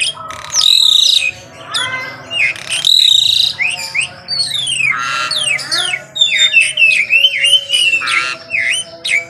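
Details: Asian pied starling in morning song, loud rasping notes alternating with descending whistled slurs and a quick series of rising and falling chirps.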